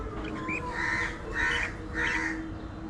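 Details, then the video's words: Budgerigar giving three harsh, buzzy squawks about half a second apart, each a broad raspy burst, over a steady low mechanical hum. "Hilarious Budgie Moments: Gossip"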